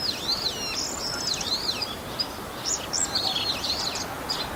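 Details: Mimicking male Bull-headed shrike, filmed 28 March 2015 on a Canon PowerShot SX60 HS; high swooping whistles and short buzzy trills in a continuous chattering medley, with sharp squeaky notes toward the end.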